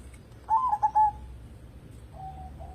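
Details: Singing local zebra dove, used to lure other birds into song. A single bright phrase of three rapid, mellow cooing notes, then a faint, low, drawn-out trill after a pause.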